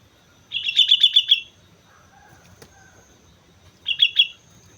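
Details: Sooty-headed bulbul from Mount Slamet singing lively: a quick burst of about six sharp, high chirped notes, a pause, then a shorter run of three similar notes; quiet background with a faint click.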